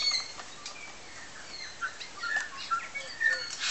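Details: Bellbirds feeding on Tiri Tiri Matangi Island, New Zealand: sparse, fairly soft pure whistled notes, a few slurred, spaced across a quieter stretch, ending with a short noisy burst.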